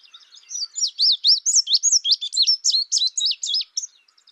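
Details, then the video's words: Indigo bunting: a rapid, continuous run of high, sharp, slurred chirps, about four per second, rising and falling in a jumbled twittering stream. "Indigo bunting sound | call"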